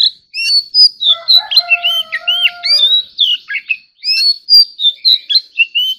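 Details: Oriental magpie-robin song stimulated for dueling: fast whistles and slurred notes over a steady low humming tone, then a short gap before the bright whistled phrases resume.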